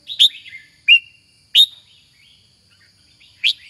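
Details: Red-whiskered bulbul in captivity, kept for song competitions: bright emphatic notes at irregular spacing, one sliding whistle and quiet twittering between them, over a constant thin high hum.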